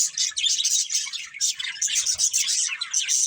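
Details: Breeding pair of budgerigars giving fast high chirps and scratchy warbled chatter, continuous and lively, with a few faint low knocks.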